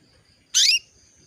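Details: Female canary calling a male to bring him into breeding condition: one brief, bright, high chirp with a slight rising sweep, set against near silence and a faint high tone.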